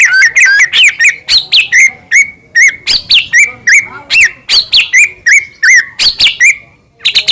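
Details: Caged white-rumped shama of the Medan type in full song, used as a lure to agitate other shamas: long run of loud varied whistled phrases with sharp rising and falling slurs, nearly continuous.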